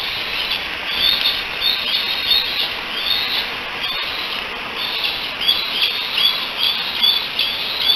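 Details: Three young bald eagles on the Decorah Eagle Cam, July 16, 2018, hang out together and chatter in high, thin whistled peeps and chitters, overlapping in uneven bursts, probably calling for their mother, over steady background hiss.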